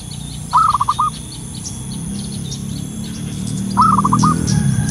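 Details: Wild local zebra dove in full song: a mellow coo followed by rapid short rolled notes, repeated about three seconds later. Distant high chirping birds and a steady low rumble fill the background.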